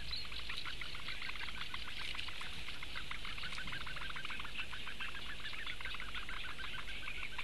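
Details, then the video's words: Begging for food by four little Eurasian bittern chicks, recorded 16 May 2017: a long unbroken run of fast, even ticking notes layered on a sizzling high chatter, low rumbling noise beneath. "četri mazie pudeļbiršti - barības diedelēšana"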